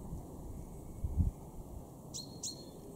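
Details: Male chaffinch in a garden in Weener, East Frisia, March 2023: after a low thud, two quick high metallic notes slide downward in pitch, close together at the end.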